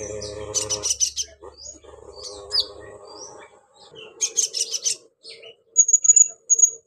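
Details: Pygmy cupwing, said to be a female calling a male, giving clusters of dense high chattering notes and scattered thin slurred calls, ending in a few sharp high whistles, with lower tonal sounds in the background.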